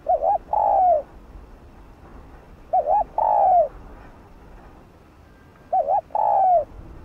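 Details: Spotted dove used as a decoy to prompt other doves to coo. Three phrases about three seconds apart, each a quick double wavering note followed by a drawn-out, slightly descending coo, low and mellow against faint background hiss.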